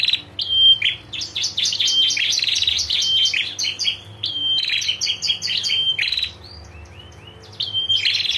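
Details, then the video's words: Long ngetir trill of a female prinia meant to make males respond: whistled notes run into fast pulsing buzzy rattles lasting several seconds, then a pause and another whistle. "PRENJAK JANTAN DIJAMIN LANGSUNG NGRESPON SUARA PRENJAK BETINA NGETIR GACOR"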